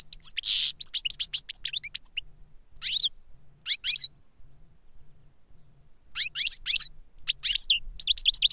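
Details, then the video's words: Reclamo song of a caged European goldfinch pair, master and CD-trained pupil: bursts of sharp twittering and a harsh buzzy note at the start, a quiet gap mid-clip, then renewed fast chirping. "Jilguero maestro cantando reclamo y enseñando a otro jilguero novel"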